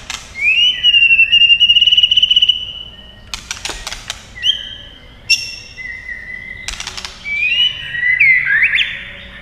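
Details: Fighting white-rumped shama with long song phrases: a rising whistle into a rapid trilled note, loud clicks, then varied whistles and a closing rising buzzy phrase.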